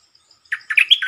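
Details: Brief, pleasant phrase from a champion red-whiskered bulbul that starts its song quickly: a tight string of bright whistled notes sweeping up and down, after faint ticks.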